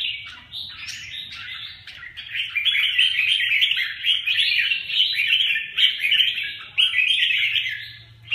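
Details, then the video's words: Red-whiskered bulbuls (chào mào) of the huế bướm and huế tê giác types fighting: a dense, continuous stream of rapid chattering, scratchy chirps and squeaky notes, mid-high pitched, with brief pauses, recorded close. "Huế bướm huế tê giác phệt nhau"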